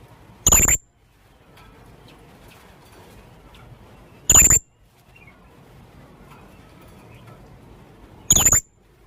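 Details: Young blue-crowned hanging parrot calling, used as a lure. Three short, shrill, very high notes with a sharp piercing edge, about four seconds apart, over a quiet background.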